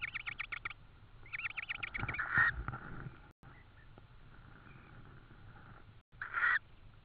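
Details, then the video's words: Tawny owl nest in Estonia, 4 May 2013, evening, insect brought as food: a short run of rapid rasping pulses, a louder hoarse squeal, a quiet gap, then another brief squeal. "TawnyOwl 2013-05-04-21h09m - food again , insect"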